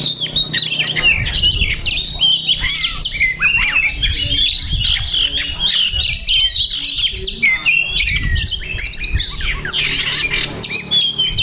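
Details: Energetic kacer (Oriental magpie-robin) song built from many copied phrases (masteran): dense shrill chatter, sharp whistled notes and rattling trills, with faint low thumps in the background.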